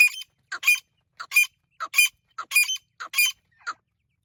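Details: Partridge (Irani teetar) calls: rough, chattering double notes, a short lead-in click then a louder raspy burst, repeated about every 0.6 seconds in quiet surroundings.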